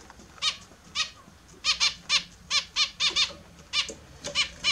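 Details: Several caged Australian zebra finches calling during a morning bath: short nasal, harmonic beeps repeated irregularly, sometimes in quick pairs, clear and close.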